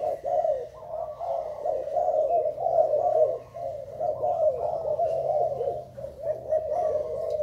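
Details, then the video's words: Steady, deep cooing from a Thai spotted dove, a long chain of smooth, slightly wavering coos with brief dips in loudness and no other clear sounds. "Cu gáy thailan"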